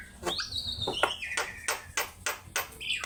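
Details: Javan myna in full song for training other birds: a long, drawn whistle sliding down, followed by regularly spaced harsh, broad clicks about every quarter second, softer and slightly noisy.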